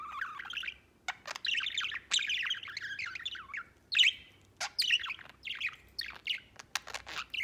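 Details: Cheerful pet white budgie singing a long warbled chatter of mixed chirps, trills and scratchy notes, dropping briefly silent before resuming with choppier clicks and squeaks.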